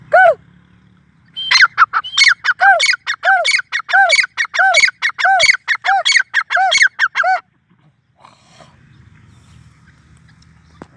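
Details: Grey francolin (Sindhi teetar) giving a long, loud series of harsh, strongly rhythmic notes, each with a lower arched tone, lasting about six seconds. Quiet follows, with only a low hum.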